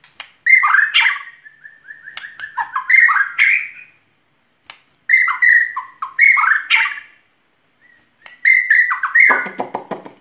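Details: White-rumped shama in full song: loud whistled phrases around a steady mid-high pitch, each broken by sharp clicks and slurred notes, delivered in bursts with short silent gaps, ending in a harsh rasping burst.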